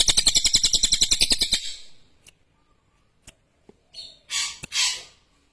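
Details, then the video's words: A lesser green leafbird (cililin) opens with a quick, ringing, chattered song, about three to four notes per second. After a pause come scattered clicks and a few drawn-out, high, rasping notes. "SUARA CILILIN JERNIH TAJAM !!"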